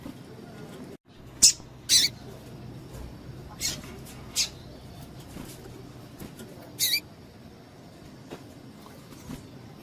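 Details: A female double-collared seedeater calls to get males excited: irregular high, harsh chips and short buzzy notes, loosest near the start, over a faint hiss.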